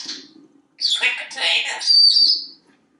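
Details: A male African Grey Parrot living in a Texas home, sitting on the kitchen faucet, talks in a rapid run of speech-like syllables ending in a drawn-out whistled tone, preceded by a brief high squeak.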